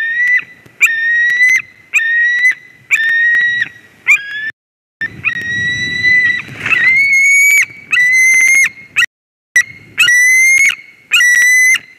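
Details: Ringed stranger flying into a white-tailed eagle nest in Durbe, Latvia, 13 August 2023; repeated loud, wheezy whistled cries about once per second, broken midway by a burst of scuffling and wing noise before the calling resumes.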